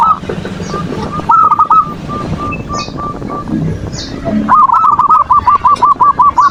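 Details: Zebra dove (perkutut) manggung to stir rivals' emotion; soft spaced coo notes and a short rolling burst, then a loud rapid rattling series of coos at the end, over a low murmur and chirps of other birds.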